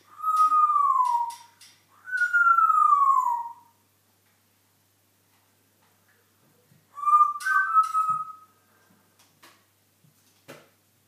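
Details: African grey parrot kept as a pet, dancing while it whistles: two long downward-sliding whistles, then after a pause a wavering, warbled whistle, with a few soft clicks and taps in a quiet room.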